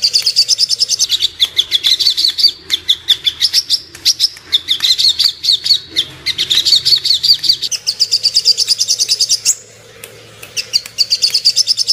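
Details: Ruby-cheeked sunbird song used as a lure to make birds aroused and aggressive: rapid, high, thin chirps and trills in dense bursts, briefly pausing near the tenth second before resuming, over a faint low hum.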